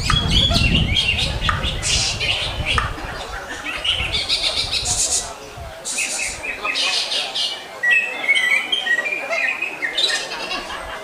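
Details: Greater green leafbird delivering a long, fast, varied song: rapid buzzy chatter, harsh rasping bursts and quick whistled phrases tumbling together, with low background noise early on.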